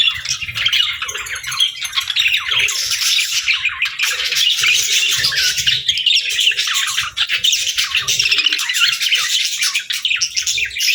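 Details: Lively, unbroken warbling of pet budgerigars, with fast high chirps and scratchy squeaks layered densely over soft background rustle.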